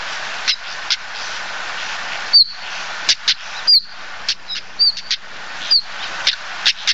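A common stonechat gives thin, high whistled notes about once every second or so, mixed with sharp, stone-knocking tack clicks, over a steady hiss.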